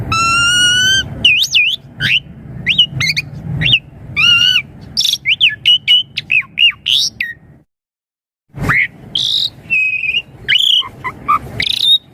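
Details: Song of the Asian pied starling as a lure for juvenile birds: opens with a nasal harmonic note, then bouncy looping whistles and chirps, a brief silence, and a resumed burst of buzzy, chattering phrases.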